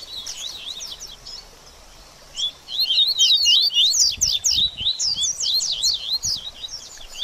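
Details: Double-collared seedeater song for stimulating a bird after moulting: softer twitter at first, then from about two and a half seconds a loud, rapid cascade of slurred whistles and chirps.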